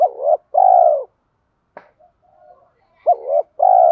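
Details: Lure spotted dove calling in the "thổ" voice blended with "thúc đấu" fighting calls meant to pull wild birds in quickly; low coo phrases of a brief bent note plus a drawn-out level coo, repeated after a quiet gap with a single click.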